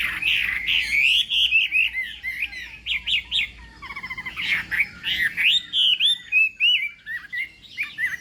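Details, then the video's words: Chinese hwamei in a singing contest, morning training: varied song mixing rich whistles, quick repeated notes and a brief harsh buzzy rattle, then resuming loud rhythmic whistled phrases. "Hoạ Mi Hót Đấu /hoạ mi hót sáng luyện giọng kich bổi sổ giọng chim hót hay mỗi ngày/"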